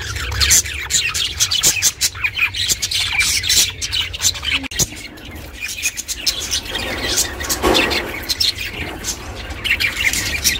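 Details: Budgie chirping for lone pet budgies: continuous rapid chatter of clicks and bright tweets, with a brief dip near the middle, then louder warbling notes toward the end over a steady low hum.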